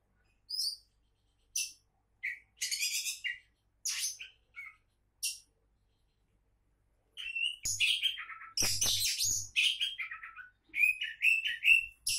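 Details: Oriental magpie-robin, a contest-champion prospect: scattered single chirps and short rasps for about five seconds, then a silence, then a dense, rapid run of varied whistles and harsh notes.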